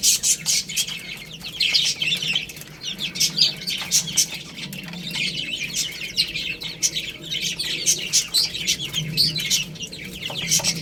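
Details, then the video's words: Several baby chickens feeding on rice, chirping continuously in high, piercing overlapping peeps that pulse in waves, with frequent short clicks from pecking and a faint low background hum. "Beautiful Chicks Chirping Sounds | Cute Baby Hen Eating Rice"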